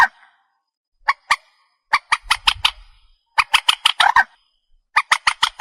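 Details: Night-hunting lure recording of a purple swamphen: isolated harsh squawks, then quick stuttering clusters of nasal, braying notes, with a faint low rumble in one section.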